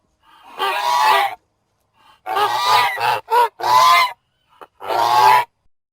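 A goose gives a series of harsh, nasal honks, some drawn out and some clipped short, spaced irregularly with brief pauses between them.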